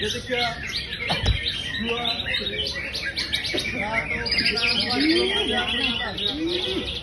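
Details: Champion greater green leafbird from Indonesia's songbird hobby, in energetic song: a busy tumble of sharp chirps and trills, with a brief thump early on, slurred low whistles later and people talking faintly.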